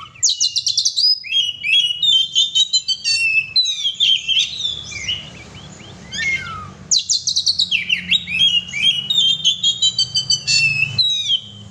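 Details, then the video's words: Oriental magpie-robin (kacer) in full gacor song: rapid runs of sharp, high whistled and chattering notes in two long bursts, separated by a brief quieter pause, over a faint low background hum. "kacer gacor"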